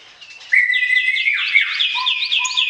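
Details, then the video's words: Bar-winged prinia song to provoke mute birds: after a faint start, a sudden loud, sustained high whistle runs into a rapid series of bright upslurred notes over a lower steady tone. "BERBAGAI ISIAN KICAUAN CIBLEK, PANCINGAN AMPUH UNTUK SEGALA JENIS BURUNG BISU, MACET ,LELET"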